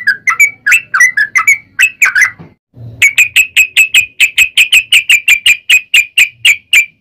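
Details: Yellow-vented bulbul in rapid fighting song used as a lure; chirpy mixed whistles, a short gap with a low thump, then an even, fast series of identical high sharp notes.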